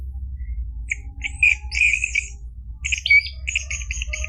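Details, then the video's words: Orange-headed thrush song meant to bring a silent caged bird into song: spaced bursts of harsh chirps, then a quick sequence of short repeated notes, with a steady low hum behind. "PANCINGAN ANIS MERAH biar bunyi NYAUT JADI GACOR NGEPLONG ampuh buat terapi macet bunyi"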